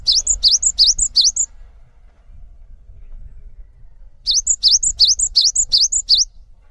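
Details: Cinereous tit singing as a tutor bird for training others: two bouts of rapid, bouncing high whistles, each note a dip and rise, about six per bout, with a quiet gap and faint low background rumble between.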